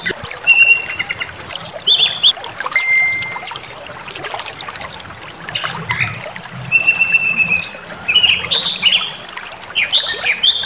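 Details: White-rumped shama singing to provoke rivals into angry, full song: varied clear whistles, slurred rising and falling notes and high trills, delivered in quick bursts with short pauses.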